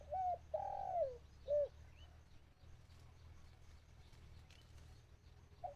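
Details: A dove kept as a decoy for catching wild birds coos: a short note, a long falling coo and a clear final coo. Softer background and faint chirps follow, then a new coo begins at the end.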